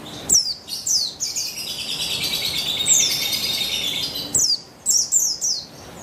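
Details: Lure recording of a female buxtoni white-eye, meant to stir a male into song: high twittering chatter runs continuously for several seconds, framed by quick descending chip notes at start and end.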